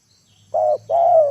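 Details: Spotted dove lure calling wild birds down to the ground: one short coo followed by a longer, slightly wavering coo, with a faint low hum beneath.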